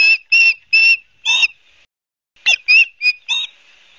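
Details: Osprey calling at a nest in Barnegat Light, New Jersey, recorded 12 September 2022: loud, high whistled chirps in a quick run of four, a short pause, then another run of four sharp notes.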